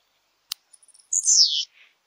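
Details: Blue-black grassquit song, one of several song types: a faint click, a few soft ticks, then a single high buzzy descending phrase lasting about half a second, ending in a short soft trailing note; otherwise quiet.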